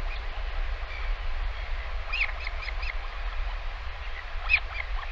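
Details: Northern royal albatross chick fed lunch by its parent at a live camera nest on 20 August 2023; quick series of thin, clicky chirps in two short bursts, with heavy low wind noise throughout.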